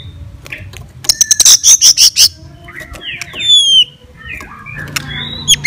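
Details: Fighter song of a white-rumped shama aimed at provoking other shamas: a rapid series of about seven loud high pulses, then curving slurred whistles and scattered chirps against a low background hum.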